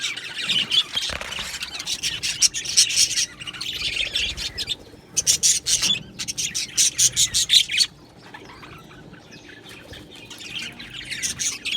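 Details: Budgerigars in an aviary colony chirping: dense, high, scratchy twittering from many birds at once, rising into loud rapid bursts of chatter between two and eight seconds, then quieter scattered chirps.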